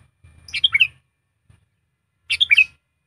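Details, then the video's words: Tame kutilang, a sooty-headed bulbul trained as a decoy, delivering two quick gurgling whistled phrases under two seconds apart, each a tight cluster of bright notes, with soft low handling noise. "melatih burung kutilang pikat"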